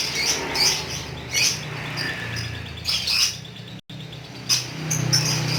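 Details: Pet lovebird in the Indonesian ngekek singing style, giving short bursts of high, sharp chirping and chattering, each lasting under half a second and coming every one to one and a half seconds, over a low steady hum.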